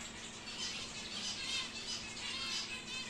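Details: Home-bred wild-type normal grey cockatiel, five to six months old, kept as a pet, giving a run of scratchy, high chattering chirps that pulse roughly twice a second with little pause between them.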